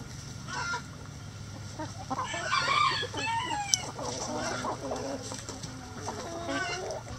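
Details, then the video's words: A rooster crows inside a chicken coop, a loud, harsh, sweeping call lasting about a second, then hens chatter and cluck in short, uneven bursts against a low humming background. "Chicken Coop Relaxing Sounds Rooster Crowing"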